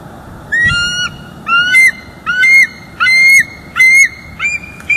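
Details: Bald eagle pair at their North East Florida nest in October 2022, both calling out together after a visiting juvenile left. They give clipped bursts of high, slightly rising piping notes, about one burst per second.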